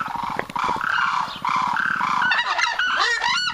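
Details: Southern screamer bred and raised in captivity in Belgium through artificial insemination; loud, nasal, harmonic honks in a run of repeated phrases of about half a second each, turning rougher and overlapping toward the end.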